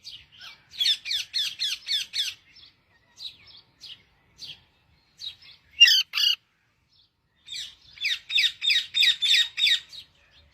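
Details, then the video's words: Singing parrot delivering rapid runs of about six repeated chirping notes, broken by isolated softer calls and one loud harsh squawk. "parrot singing"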